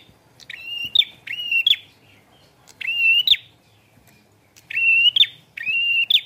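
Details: Vigorously singing prinia with rain: pairs of rasping notes, each joined to a sustained high steady tone, repeated about every two seconds.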